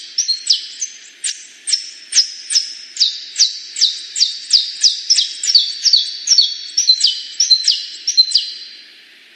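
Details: Extended canary song: a long chain of crisp falling whistles and thin steady tones, building in pace through the middle and trailing off at the end.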